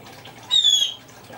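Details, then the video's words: A Congo African grey parrot mimicking a blue jay gives one harsh, slightly falling squawk of about half a second in a quiet room. "Congo African Grey Parrot Chirping Like A Blue Jay"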